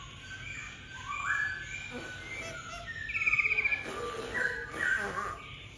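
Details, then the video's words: Black-throated laughingthrush singing: a sequence of short whistled notes and slurred phrases, including a rapid buzzy trill midway and rising-falling whistles near the end, over steady background hiss. "Khướu bạc má ...!"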